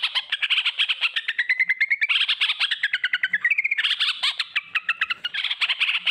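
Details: Sooty-headed bulbul giving a long ropel song, the rapid chattering style played as a lure so other bulbuls start singing; continuous fast stream of clipped chirps and rising, sliding whistled phrases with no pauses.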